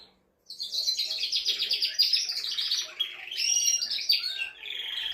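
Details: Male canary delivering a vigorous mating song to stimulate a hen, starting after a short silence with fast pulsed trills, then clear high whistles and rolling twittering phrases.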